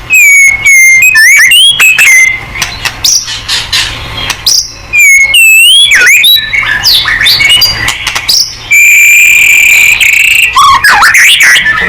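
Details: Energetic white-rumped shama song used to make other shamas respond: rich whistled phrases with swooping slurs, buzzy notes and piercing high tones, ending in a long steady whistle and a fast warbled flourish.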